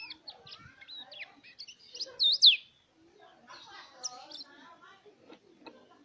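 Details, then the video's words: Mountain white-eye song used to stimulate other white-eyes to sing: high thin chirps and fluttering notes with a loud downward-sweeping whistle near the middle, over faint background voices. "pancingan suara pleci agar buka paruh"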